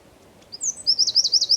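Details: A wren singing at Zamudio on 4 December 2019 gives a piercing high whistle, then a quick run of shrill notes that speeds into a tight repeated trill.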